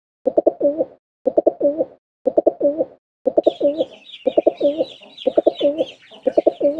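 Pigeon cooing, deep throaty phrases repeated about once a second; a higher chirping bird joins partway through.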